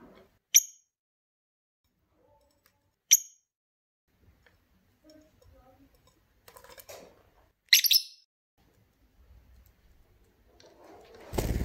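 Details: Pet lovebird bathing, giving three short, sharp, high chirps spaced a few seconds apart, with soft rustling between and a burst of splashing water at the end.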